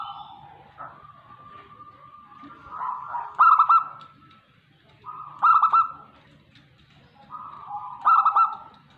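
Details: Zebra dove, a local perkutut from Tegal, Indonesia, cooing. Three phrases are spaced a little over two seconds apart. Each pairs a steady, hollow tone with a rapid clipped triple note at its peak.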